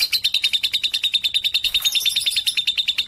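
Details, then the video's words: Brief burst of lovebird song from a 3.5-month-old bird, bold among adults: quick, bright chirps repeated several times a second in a steady rhythm. "Lovebird 3.5 🌒 berani trek dengan dewasa dan Cocok buat masteran"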